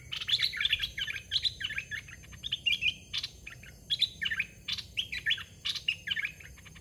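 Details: Red-whiskered bulbul kept as a caged decoy for attracting young wild birds, singing dense runs of cheerful slurred whistles in repeated short bursts, some phrases overlapping as if from more than one bird.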